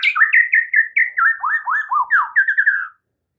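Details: Oriental magpie-robin masteran track with full isian: a quick run of clear whistled, slurred notes, some rising and some falling, delivered in a steady tumbling series before falling silent.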